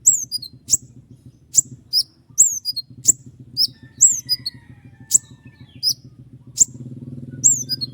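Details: Common iora singing long sharp 'tembakan' phrases: shrill high whistles sliding downward, interspersed with crisp clicks, in lively bursts, with low rumbling background noise growing toward the end.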